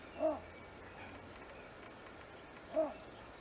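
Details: Little bittern in a reedbed at Bosco WWF di Vanzago: two short, low, muffled hoots spaced about two and a half seconds apart, over a steady background hiss with a faint high hum.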